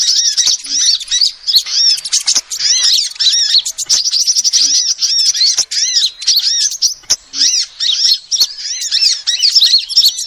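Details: Female sunbird calls, used as a lure: a dense, steady stream of high, thin, arched chirps, many notes a second, with short gaps. A few faint soft clicks are also heard.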